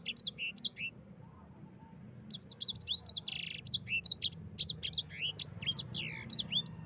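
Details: Yellow-fronted canary singing a rolling ngerol song, used as a master recording to prompt other canaries to sing; a brief opening phrase, a pause, then a fast run of high, slurred, rising and falling whistles with a short buzzy note.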